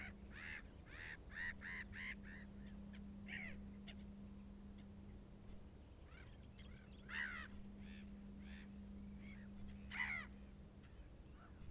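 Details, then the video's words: Short-eared Owl in Iceland gives hoarse, nasal barking calls, a quick run of about six at first, then single calls every few seconds, over a steady low engine-like hum. "Brandugla - Short-eared Owl"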